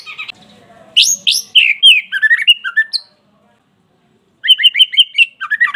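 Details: White-rumped shama song played to provoke a caged bird into singing: loud, varied whistled and chattering phrases, a pause, then fast repeated notes.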